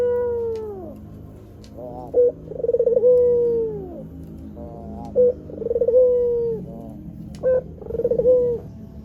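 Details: Coos from a white Barbary dove, a prize-winning singer used to lure wild doves. Each phrase opens with a brief stuttering burst and swells into a long, low, mellow note that slides downward. Phrases come every few seconds over faint low background rumble.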